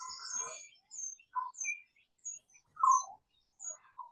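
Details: Lyrebird in foggy, misty forest gives its weird gurgling call: a varied run of gurgling, chirping phrases mixing low warbles with thin, high squeaks in bursts every half second or so.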